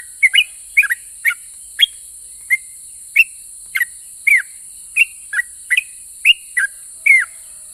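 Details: Chatty sooty-headed bulbul singing in a way said to provoke other bulbuls into replying: clear, short whistled notes, some slurred downward, spaced roughly every half second, with constant high-pitched hiss behind.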